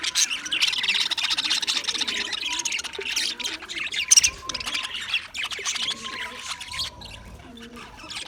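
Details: English budgies recorded February 14, 2024: a rapid stream of high buzzy chirps and twitters that thins out toward the end, with a brief louder squeak midway.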